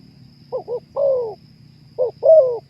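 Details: Spotted dove (terkukur) giving two quick low coos and a longer falling coo, then a pause and another note pair with a drawn-out coo; faint hum and a high constant whine behind.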